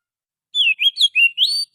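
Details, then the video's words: Lure song of a wild Oriental magpie-robin: a quick string of bright, varied whistles, some dipping and some rising sharply, packed closely together after half a second of silence. "suara pikat burung Kacer asli hutan,suara pancingan kacer"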